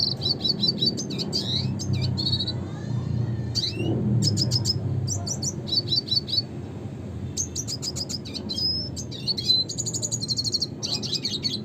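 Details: Long run of classic red siskin song (Spinus cucullatus): dense high twittering, buzzy trills, fast repeated chips and a few rising slurred whistles, delivered almost without a break over a low background drone.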